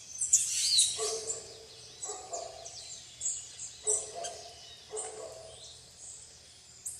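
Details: Plain parakeets feeding on bananas together with tanagers and other birds at RPPN Santuário Rã-bugio, Guaramirim, Santa Catarina, Brazil; loud shrill screeching at the start, then high chatter with lower rasping notes repeated about every second.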